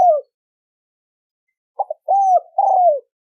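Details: Spotted dove coo used to lure males and females: a short coo, a pause of over a second, then two quick notes leading into two longer, slightly falling drawn coos.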